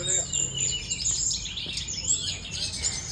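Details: Sooty-headed bulbul, known locally as tledekan gunung, singing in fighting style: rapid high-pitched chirps and twittering phrases tumbling over one another with little pause, over faint low background noise.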